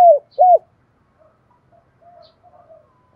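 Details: Spotted dove decoy calling to draw wild doves in to fight: two loud, low, hooked coo notes at the start. Faint, soft murmurs follow, then another coo begins at the very end. No other sounds.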